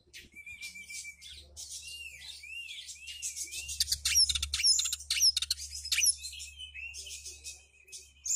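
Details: Domestic Oriental magpie-robin delivering a long, dense song of scratchy warbles, wavering whistles and sharp ticking notes, building to a loud burst of rapid chips mid-phrase, over a faint steady tone and low hum.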